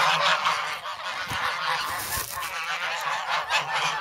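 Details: Noisy, hungry grown goslings gather around bread in the February snow at Sloterpark, Amsterdam. Thick overlapping honks fill the whole recording, with a few clicks and knocks beneath the flock's clamour.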